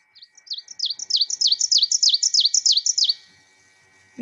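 Ovenbird song: a rapid series of about a dozen loud, two-part chanting notes, building in volume, like teacher-teacher-teacher, lasting three seconds.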